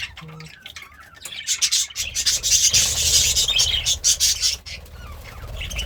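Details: Pet budgerigar, happy and eating greens, starting with a few soft notes, then a dense scratchy high-pitched chatter of rapid buzzy pulses that swells and fades.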